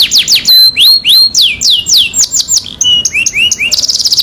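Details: Canary singing as a lure to start a stalled canary singing: loud looping downward sweeps at a steady pace, then short rising chirps and a final buzzy high roll.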